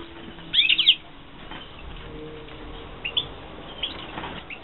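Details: European goldfinches from a 2016 captive breeding setup: a quick burst of bright, high twittering chirps early on, then scattered short tweets over a faint steady background hum.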